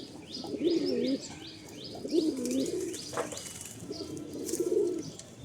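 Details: Three farm pigeons walking together, two males following a female: bursts of deep rolling coos separated by pauses, over a steady series of high, quick chirps from small birds and a brief sharp click.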